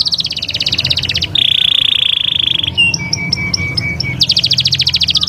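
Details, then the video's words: Canary song of alternating rolls: fast high trill, a steady buzzing tour, short staccato notes, then another rapid trill. "استمتع بأجمل تغريدات طيور الكناري"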